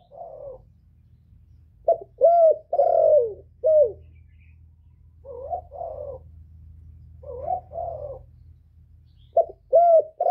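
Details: Decoy male spotted dove calling to bring wild doves in. Several soft cooing phrases repeat over about ten seconds, each a cluster of short and drawn-out falling notes. There are brief pauses between phrases and a faint low hum.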